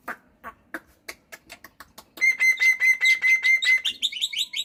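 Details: Morning song of a pet black-winged myna in full voice: a run of sharp percussive clicks speeding up, then a long level whistle overlaid with harsh rasping notes, ending in quick high chattery phrases.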